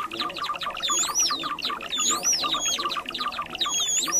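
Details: Java sparrow trapping lure: clicky chattering notes leading into three sweeping, high whistled phrases, each rising and falling in a smooth loop, roughly every one and a half seconds.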